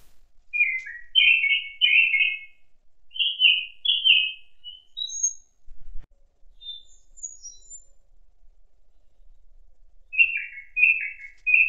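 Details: Thrush singing in an autumn forest where a jay forages: varied warbled phrases of short whistled notes, pauses between phrases, some high thin notes, final phrase of repeated slurred notes.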